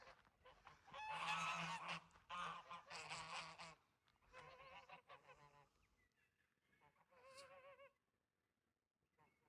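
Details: Several geese at a lakeside campsite at Lake Burrumbeet near Ballarat, Victoria, Australia honk loudly in harsh, nasal, overlapping bursts for about four seconds as a person approaches, then fewer wavering honks fade out; they give warnings when approached.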